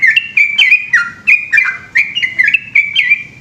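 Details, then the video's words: At night in Indonesia, a yellow-vented bulbul delivers its energetic 'ropel' song, a rapid chain of liquid, downslurred whistles with short hooks and flicks, tightly packed over a few seconds. "burung trucukan gacor ropel panjang dimalam hari"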